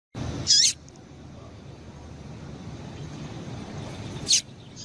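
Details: Female double-collared seedeater calling to rouse males: one loud, high chirp with a falling slur early on, then a single shorter sharp note several seconds later, with steady low hiss between.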